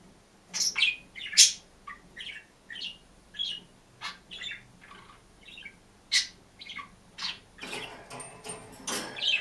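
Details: A single budgerigar, alone in a cage, singing and chirping: a quick, varied run of squeaky chirps, clicks and short warbles, with bursts of louder rasping chatter near the end.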